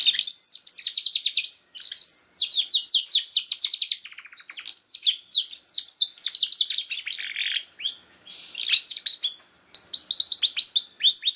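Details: Singing canary, recorded to coax silent young canaries into song: fast metallic trills alternating with sharp high chirps and rolling phrases, brief pauses near two and ten seconds, a clean recording.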